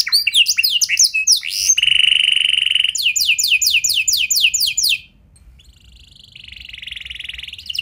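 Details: Canary song used as a lure to get other canaries singing, rich varied phrasing with long runs: fast descending whistled notes, a sustained buzzy trill, a rapid repeated chopped series, then a softer drawn-out rattle.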